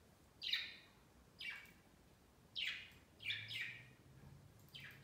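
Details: Caged pet budgies climbing a Christmas tree beside their cage on Christmas Day give five or six short, raspy chirps spaced about a second apart, with a faint low hum running underneath partway through.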